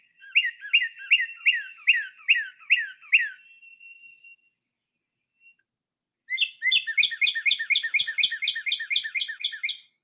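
Northern Cardinal whistling two phrases of loud, downslurred notes: about eight measured ones, a short pause, then a faster run of roughly fourteen.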